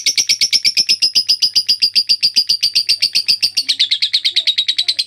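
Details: Lovebird delivering extended ngekek chatter for tutoring other birds: a fast, rattling string of shrill notes, close to ten per second, pitch easing slightly downward toward the end.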